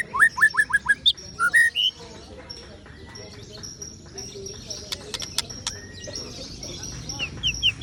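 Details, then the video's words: Ciung wanara white-rumped shama opening with five quick rising whistles and a few looping notes, followed by quieter scattered sounds and a soft closing run of short high whistles. "ocehan CIUNG WANARA murai batu"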